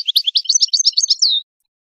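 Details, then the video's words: European goldfinch song used in breeding to train singing and stimulate mating: one continuous, rapid, liquid twitter of tightly packed chirps lasting about a second and a half, ending in a clear drawn-out note, then silence. "improving goldfinch singing skills exercises and training"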